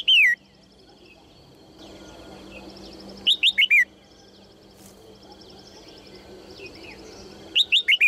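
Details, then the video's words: A female red-whiskered bulbul calls brightly to prompt males to sing: a loud, falling whistled note, then two rapid bursts of four slurred notes a few seconds apart, with faint chirping from other birds behind them. "นกหัวจุก birds - เสียงนกตัวเมียส่งเสียงเจื้อยแจ้วจูงใจนกตัวผู้ให้ร้องเพลงอย่างมีความสุข"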